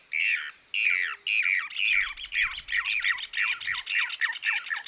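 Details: Brown Cacholote (cacholote castaño), one of Argentina's common birds, gives a loud, harsh chattering series of squawky notes, about two per second, speeding up into a rapid raucous run.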